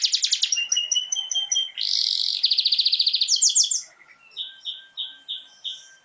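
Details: Canary singing, aimed at stimulating other canaries: fast high notes, a burst of harsh buzz, then a rapid pulsing trill. The song then drops to quieter, evenly spaced chirps.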